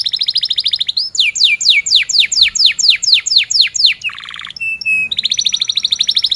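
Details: Canary in energetic 'ngerol' rolling song, a lure for young canaries learning to sing: buzzy trill, a run of sharp descending sweeps about three per second, a low rattle, two whistles, then another rapid trill.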